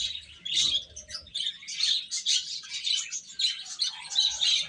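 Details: Little chicks feeding, filling the air with rapid high-pitched cheeping; bursts of peeps come in clusters roughly every half second, a soft low thump near the start.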